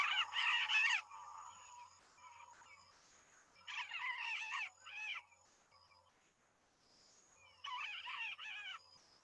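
Yellow-collared Macaw giving harsh, grating screeches in three loud bursts, each about a second long, with fainter squawks between.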